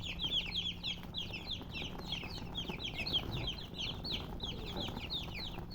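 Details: Baby chickens chirping: a dense flurry of high, short, downward-sliding peeps from several chicks overlapping, roughly three per second, steady and unbroken, over a faint low hum.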